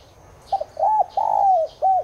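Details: Spotted dove of the tigrina subspecies coos to coax caged doves into cooing: a broken double note, an arched coo, a long steadily falling coo, then a final short note, with soft high chirps behind.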